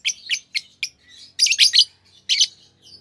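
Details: Green Fischer's lovebird pair, a kind noted for long songs and winning Indonesian song contests, chattering in rapid high scratchy chirps, brief notes then denser bursts of several harsh syllables, a faint low hum underneath.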